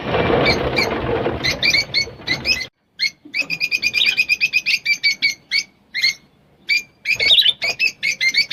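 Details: Rosy-faced lovebird song meant to stimulate mating. Harsh broadband rustling opens, then a short silence, followed by dense runs of sharp, high chirps, several per second, in uneven bursts with brief pauses.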